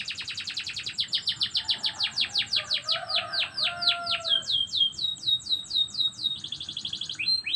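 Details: Morning canary song made of rapid repeated chirps. A quick opening trill gives way to slower down-slurred whistles, then a tight high rattle near the end, all clear and loud.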